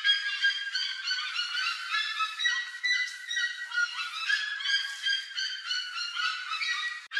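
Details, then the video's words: Plush-crested jays raiding corn along a trail, many birds calling at once: a busy mix of nasal, bell-like and rasping notes layered into an unbroken chatter. "PLUSH-CRESTED JAY (CYANOCORAX CHRYSOPS), GRALHA-PICAÇA Rooks plundering corn from the trail."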